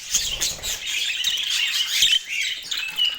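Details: Steady stream of budgerigar twittering: fast high chirps, buzzy squeaks and short whistled notes overlap without pause, several clear piping tones standing out near the end.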